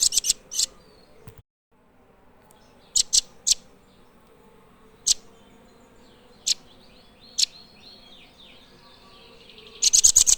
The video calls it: Blue Nuthatch Birdsong